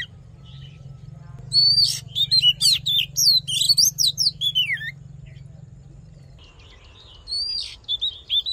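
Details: Male Oriental magpie-robin giving a fiery fighting song, pouring out a fast run of clear, varied whistles, rising and falling, in a burst of about four seconds, then a shorter phrase, over a faint low hum.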